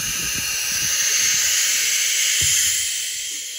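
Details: Barn owl chicks in an owl box give a steady, breathy hiss that holds for several seconds with only slight swells, over faint low knocks.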